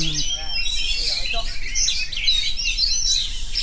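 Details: Oriental magpie-robin singing in the continuous 'ngerol' style: a dense, nonstop run of bright whistled and chirping notes with quick rising and falling slurs, plus a few lower warbled phrases early on.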